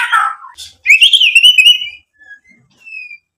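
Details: Short excerpt of white-rumped shama song: a low harsh burst, then a bright rising and falling whistled trill, followed by a few faint, thin whistles.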